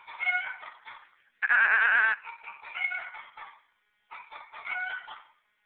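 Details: A white Silkie rooster crows in a way likened to Woody Woodpecker. Chattering, pulsed laugh-like phrases surround one louder, strained, wavering note lasting under a second.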